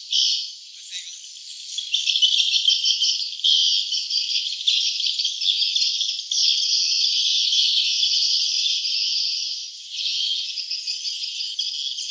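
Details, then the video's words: Swiftlets at a nesting house: a dense chorus of high, fast twittering and buzzy chirps overlapping in a steady chatter, several calls each second, with no other sounds. "suara sarang burung walet ( swiftlet sound )"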